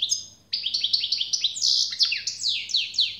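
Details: Generous singing of a European goldfinch: after a brief quiet start, bright downward-swooping notes and liquid twitters follow rapidly, with an occasional buzzy note and a low steady hum behind.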